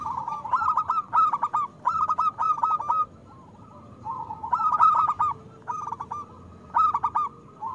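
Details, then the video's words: Loud-voiced local zebra dove singing, used to coax doves that rarely sing: quick runs of soft, bubbling coo notes in stuttering phrases, several phrases with short pauses between. "Perkutut lokal gacor Suara Besar"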